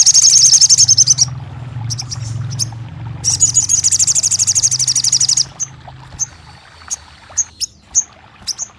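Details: Crested jay rattling song intended to make a silent bird sing: two long, fast, high, pulsing rattles, then a sequence of isolated short, sharp high notes over a low background hum.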